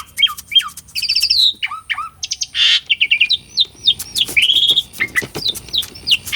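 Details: Asian pied starling in full song, meant as a lure for silent or training birds: paired downslurred whistles, a harsh noisy burst, then a long sustained whistle followed by quick chirps and sharp clicks.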